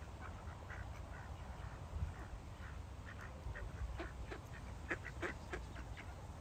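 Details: Several ducks quacking as they feed, scattered short nasal quacks that grow busier toward the end, set against a constant low rumbling background.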